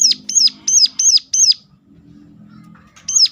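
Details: Sharp call of a Sunda warbler, used to coax other birds of its kind to sing: five quick high arched whistles in a row, a brief pause, then one more note.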